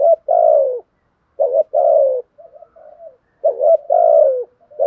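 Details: Spotted dove in captivity, a practised cooing sequence used to stir other captive birds into calling: rhythmic bursts of low, hoarse coos, each phrase falling slightly, separated by short quiet gaps and softer murmured notes.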